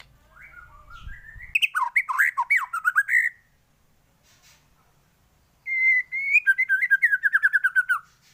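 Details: White-rumped shama song for training other birds to sing: rich varied phrases of whistles and rapid trills around one to three kilohertz, two bursts separated by a pause, faint low hum before.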